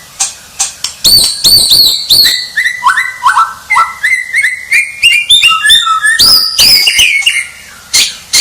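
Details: White-rumped shama pouring out a fast varied song: sharp high chips, a stepwise series of whistled notes rising in pitch, then buzzy high bursts.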